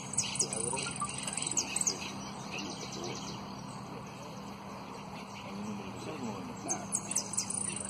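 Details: Competition saffron finch, runner-up, delivering clusters of piercing whistles and trills in the first two seconds and again near the end, quieter between, steady hum underneath; golpe and pitadas style song.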